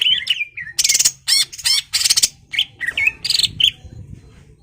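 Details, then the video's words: Greater green leafbird in a rival-provoking song: loud, harsh rattling bursts alternate with clear slurred whistles and twisting notes, delivered in rapid, uneven phrases. "CUCAK IJO GACOR MEMANCING EMOSI LAWAN AGAR MAU JAMTROK DAN TARUNG"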